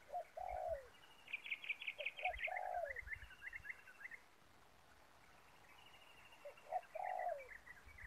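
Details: Spotted dove decoy luring wild doves near a ground trap: soft, distant coos, each ending in a slightly falling slur, heard twice, with busy high chirping and trilling of small birds throughout.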